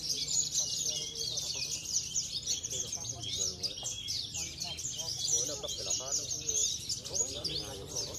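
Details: Javan bush lark kept as a bird-singing contest bird, a stable winner at weekly contests in Cilacap; dense, rapid twittering song of buzzy notes and chirps packed high, with other birds chattering faintly.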